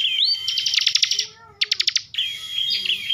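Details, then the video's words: Caged bar-winged prinia from Slawi, Tegal, Central Java, Indonesia, singing in the energetic rapid "ngebren" style: bursts of fast, buzzy, high-pitched stuttering notes alternating with thin sustained whistles, with a faint low hum underneath. "kicauan ciblek ngebren emosi"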